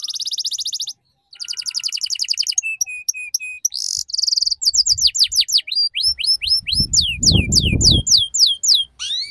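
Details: Canary song used to prompt a young canary learning to sing in the ngeriwik style; rapid buzzy trills, steady repeated notes, then a series of sharp descending whistled sweeps, with a low background rumble.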